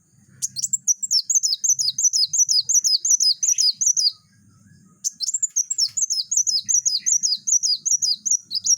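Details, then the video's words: Van Hasselt's sunbird singing densely and continuously as a training recording for other birds: two long runs of rapid, high, dipping whistled notes, several per second, split by a brief pause, over a quiet low hum. "burung kolibri wulung gacor tembakan rapat"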